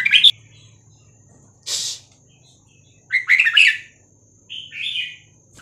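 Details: Red-whiskered bulbul song in the Vietnamese 3-4-5-6-7 style, used to train young birds and excite them: short bursts of mellow warbling separated by pauses, with a low hum and a brief rustling noise.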